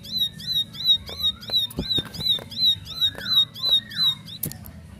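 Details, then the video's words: Bar-winged prinia answering another bird, a series of sharp, bright high notes repeated about every 0.4 seconds, with two lower slurred, falling whistles near the end and scattered clicks in a quiet background. "Ciblek Bisu Langsung Nyaut Ikut Nembak Nembak"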